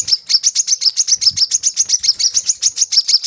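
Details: Coconut sunbird song used as a lure to get captive birds singing: a fast, steady run of high, thin sharp notes, about three or four per second, with no other sounds.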